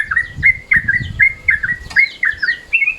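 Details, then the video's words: Yellow-vented Bulbul call in midday mode, used as a lure: bright chirpy notes, each dropping then rising, given in a quick uneven series of about eight across three seconds. "SUARA TRUCUKAN MODE SIANG, BISA NIH BUAT PANCINGAN"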